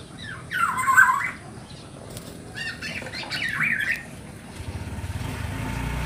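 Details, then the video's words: Young black-naped oriole begging to attract its parents: two loud, harsh, nasal squawks, the first strongest near one second, the second weaker around three and a half seconds, followed by a low rumbling hum. "Suara asli anak burung kepodang"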